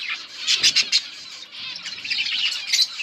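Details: Budgies dated August 15, 2024 chirp in a dense high twitter, with three or four sharp louder chirps close together early on, then steady scratchy warbling and another burst near the end.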